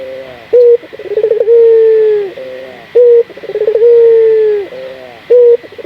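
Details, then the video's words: Lure recording of a local puter dove to get other doves singing: a short sharp coo, then rapid stuttering notes swelling into a long, even, gently descending coo, the sequence repeating twice in a clean recording. "Pancingan burung puter gacor, melatih burung puter lokal agar cepat gacor"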